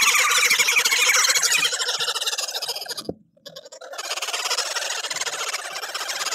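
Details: Noisy woodhoopoes defend their territory as a group at a South African bird feeder with bobbing displays. Fast, grating cackles pour out, stop abruptly for about a second, then resume just as loud and rapid.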